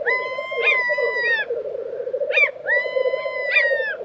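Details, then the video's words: Spring lek of black grouse in Tiveden, Sweden, April 2023: continuous bubbling and a few hissing bursts, overlaid by another bird's long, level, clear tones that ring for over a second each. "Black Grouse Lek - sound recording"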